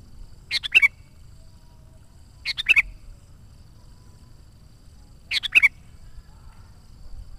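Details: Sooty-headed bulbul singing actively as a lure for wild bulbuls: three similar short bubbly phrases at irregular gaps of two to three seconds, each a quick cluster of notes closing in a whistle.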